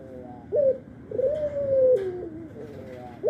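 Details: Short upward note, then a long steady coo falling to a lower held tone, from an albino Barbary dove that calls morning, noon and night; a faint click in the background.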